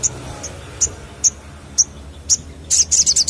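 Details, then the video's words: Crested jay calling on a lure track: clipped high notes about every half second, then a quick burst of five or six louder chattering notes. "Pancingan Sogon Ampuh Pancing Bunyi"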